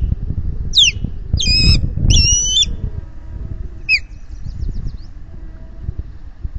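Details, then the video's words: Osprey at its Finger Lakes nest calling in alarm as intruders pass overhead, May 2021 afternoon: a few loud piercing whistled squeals in quick bursts, then a fading chatter, with heavy wind rumble and nest-camera noise. "Intruders overhead"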